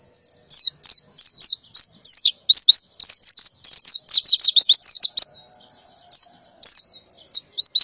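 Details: A female white-eye, in breeding condition, calls in the morning to summon males, with steady high, downslurred chirps repeated several times a second and thin trills between.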